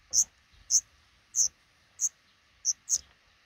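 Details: At a black redstart nest in a nook under the roof over a house door, five chicks hatching; six loud, piercing high peeps about every half second, last ones closer together.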